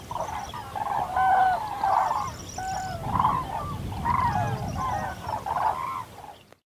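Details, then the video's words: Common cranes (Grus grus) give loud, rolling bugle calls in overlapping bursts about every second, several birds together over low background noise, ending abruptly in silence. "Grulla europea (Grus grus) Canto"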